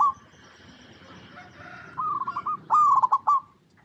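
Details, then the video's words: Zebra dove, local Indonesian bird used to lure others to sing, giving a short run of soft coos that swells into a loud rippling trilled coo before stopping; faint hiss beforehand. "Perkutut Lokal Gacor Suara Paling DiCari Untuk Pancingan Semua Burung Perkutut Agar Bunyi"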